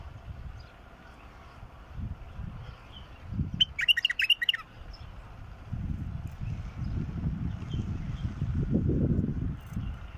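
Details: Song of a wild bulbul: a brief burst of bubbly, tumbling whistled notes in the middle, set against steady low rumbling background noise that grows louder later.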